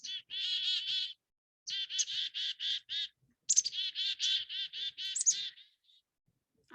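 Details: Black-capped Chickadees in a recording from Cornell's All About Birds, calling with harsh, buzzy 'dee' notes in three quick bursts, about four notes a second, with a few higher chips mixed in; nothing else heard.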